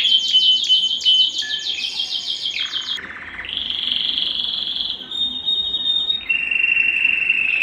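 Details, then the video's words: A strong canary song meant to excite females for breeding. It gives high, fast rolling trills, switches to a steady buzzy tour, and then moves to sustained high whistled rolls, all loud and continuous. "صوت الكناري الاصلي ( صوت جبار يحفز الذكر ويهيج الأنثى للتزاوج )"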